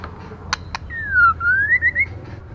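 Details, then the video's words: Female white-rumped shama, calling to excite male birds, gives one long clear whistle that glides down, then climbs back up into a few quick wavering notes. Two sharp clicks come before it over a steady low hum. "Lửa mái kích trống hay nhất👍kích bổi nhanh chơi"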